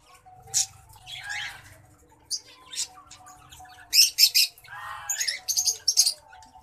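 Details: A white-headed munia in courtship sings a jumble of sharp, high clicks and buzzy notes, some in quick clusters of three or four, over a low background hum.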